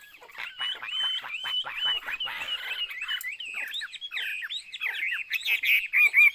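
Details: Chinese hwamei in a rapid run of short, looping whistled notes repeated about twice a second, building louder toward the end with sharper slurred phrases.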